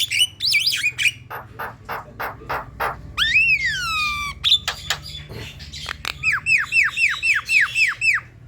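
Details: Black-winged myna song played to provoke a caged myna into singing: harsh broadband rasps, a long rising-then-falling whistle, then a rapid run of repeated downslurred chirps about four per second.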